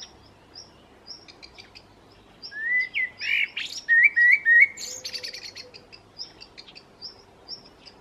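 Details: Common blackbird singing: a short run of low, fluty whistled phrases with a squeaky high twitter mixed in, about two seconds long mid-clip, over a steady background of thin, high repeated chips from another bird.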